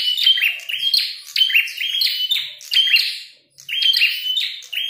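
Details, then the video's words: Red-headed prenjak, a prinia, calling hard during a fight: fast sequences of high, scratchy chirps and thin downslurred whistles, one clear pause near three and a half seconds. "Prenjak tarung gacor | prenjak kepala merah"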